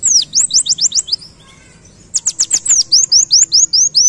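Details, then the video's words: Forest white-eye delivering canary-style song: rapid series of thin, high whistles, each sliding steeply downward, about six in a row, then a brief pause before another longer, faster run of slurred notes. "Masteran Pleci Ngalas Nembak Kenarian"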